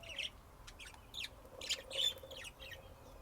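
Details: Short budgerigar chirps and bent warbled notes in quick succession, some louder than others, above a low background hum.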